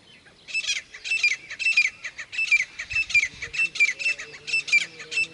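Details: Calling Grey francolin: evenly spaced harsh, scratchy bursts, close to two each second, each carrying a brief downslurred whistled element, the series running steadily for about five seconds.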